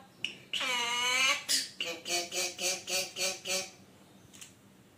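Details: Pet talking mynah indoors: a long harsh, rasping squawk with strong harmonics, then a run of about eight rhythmic, nasal repeated notes, each rising and falling, before fading out.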